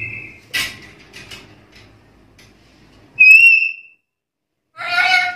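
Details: Black-capped lory challenging rivals: a brief whistle and a sharp noisy burst, a pause, then a clear ringing whistle rising and holding, followed by a coarse, buzzy screech.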